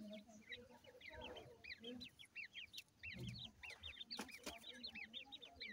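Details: Female grey francolin feeding at home with her chicks; soft low clucks beneath a busy stream of thin, high, upward-flicking peeps, repeated rapidly throughout, with a few sharp clicks.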